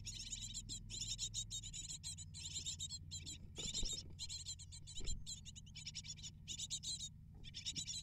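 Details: Continuous high, harsh begging chatter from eight great tit nestlings fed by their parents, pulsing in rapid bursts, with occasional knocks and scraping in the nest box and a low hum.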